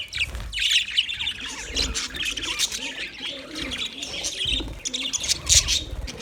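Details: Several budgies chirp together in a busy, overlapping stream of high twitters and squeaky trills, with faint low thumps and soft warbling notes beneath the chatter.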